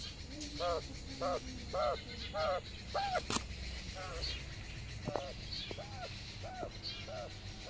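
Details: Mother quail out grazing in the sun with her twelve small chicks, calling them to follow; about ten arched notes repeated roughly every half second, over faint high peeps and background rustling.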